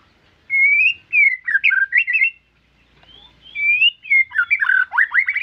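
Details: White-rumped shama in lively captive song, opening with clear whistled slurred phrases, then rapid tumbling runs of rising and falling whistles, a pause, and another sweet whistled series ending in quick upward-sweeping notes.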